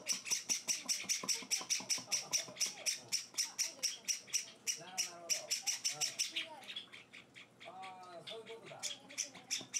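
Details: Hand-fed Java sparrow chicks begging indoors, four days after arriving: fast steady rasping cheeps, then a looser, quieter stretch as a person talks softly, before the harsh calls resume near the end.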